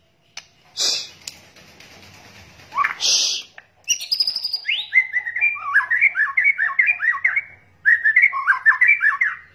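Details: White-rumped shama, male and female calls used as a lure to attract birds: after a few harsh noisy bursts, a fast run of varied whistled, warbling notes repeated in quick phrases.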